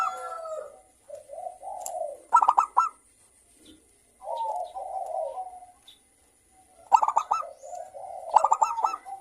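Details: Local zebra dove in full morning voice: soft warbling coos alternate with clipped bursts of quick, ringing staccato notes several times, separated by short silences, over a faint steady high hiss.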